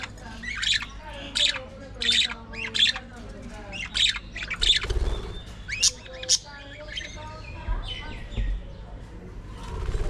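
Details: Aviary colony of budgerigars: loud grating squawks repeated roughly every half to one second, with softer chirping chatter between them and low hum beneath.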